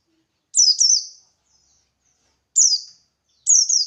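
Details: Buxtoni white-eye singing in the 'ngalas' style, played as a lure so other white-eyes answer. Three loud, high, descending slurred phrases, the first a double sweep, separated by silence.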